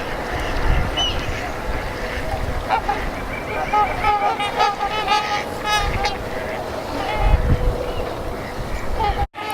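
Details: A couple hundred trumpeter swans wintering on unfrozen water of the Mississippi River, Minneapolis, Minnesota, around 7:30 on a mid-January morning at zero degrees, give deep, nasal, horn-like honks that overlap irregularly, with a man talking and low rumbling.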